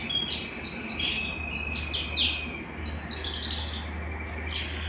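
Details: A Belgian canary sings to rouse a cold canary into song: a bright run of quick rising and falling trilled phrases and sweeping notes, with a steady low hum in the background.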